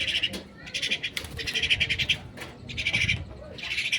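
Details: Captive myna during feeding, a run of harsh, grating, pulsed bursts separated by short pauses, with soft low handling noise underneath.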